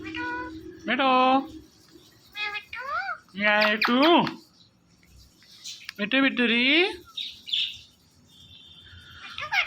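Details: Pet rose-ringed parakeet, a ringneck said to love watching a phone and talking to it, producing harmonic speech-like phrases with rising and falling squeaky sweeps in several bursts, indoors, with some human voice and music.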